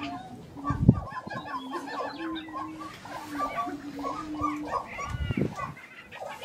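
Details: Grouse displaying at a lek in Colorado, April 2023: a low, steady hooting tone runs through the first half, under a busy chorus of short clucks and chirps, with two low thumps.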